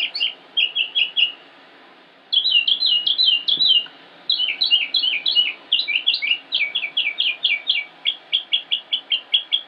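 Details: Male northern mockingbird (Mimus polyglottos) singing continuously in Concord, North Carolina, United States, on 25 May 2016; clipped high phrases repeated in quick series, a short silence, then long runs of sharp chirps, ending in evenly spaced repeated notes.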